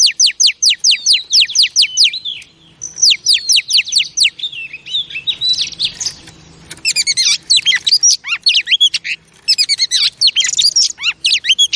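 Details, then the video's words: Pet female oriental magpie-robin calling to stimulate male birds: fast runs of sharp descending chirps mixed with warbled whistles and buzzy notes, almost without pause. "Chòe Than Mái Kích Trống Phê Tận Não"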